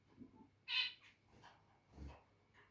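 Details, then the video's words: A loud nasal beep from a zebra finch is followed by softer, shorter chattering notes and a low thump. The birds are described as territorial, then making cute noises while cuddling. "Territorial Birb Today (Makes Cute Noises Near The End) Zebra Finches"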